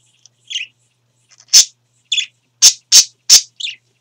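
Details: Pet budgerigars (parakeets) kept indoors giving a quick run of bright, scratchy chirps and sharp clicking notes, irregular and a few per second; one talking bird is known to say hello, pretty birdie and I love you.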